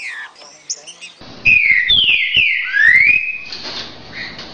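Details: Green-winged saltator singing the "60 boi" song type for training young birds: a few soft notes, then loud rich whistled phrases with falling and rising slurs, fading into noise.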